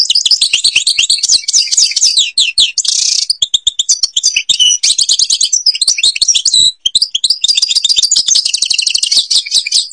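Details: Sustained, dense European goldfinch song from Algeria in the ghabat al-Babas tiberli style: ten seconds of almost unbroken rapid jangling twitter, buzzy rasps and trilled runs.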